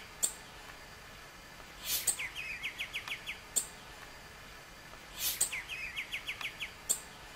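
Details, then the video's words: Young White-winged becard (Pachyramphus polychopterus) vocalizing: a run of about eight short, quick chirped notes, repeated twice, with a few sharp clicks and faint background hiss. "CANELEIRO PRETO JOVEM VOCALIZANDO"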